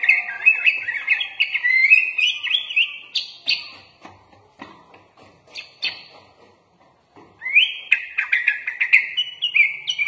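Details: Sooty-headed bulbul (kutilang) masteran song with full 'isian' fill: fast, jumbled chattering phrases, thinning midway to scattered sharp single notes, then a fresh burst of tumbling warbles.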